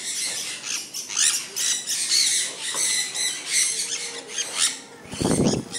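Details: Sun conures kept as pets, enjoying falling rain: repeated harsh, high screeching squawks in bursts through the clip, with a low rustling thump near the end.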